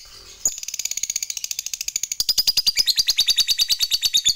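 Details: Fighter-type lovebird in long ngekek chatter that provokes rival birds: after a brief quiet lead-in, a sudden burst of fast, evenly spaced rasping notes that grows louder and denser toward the end.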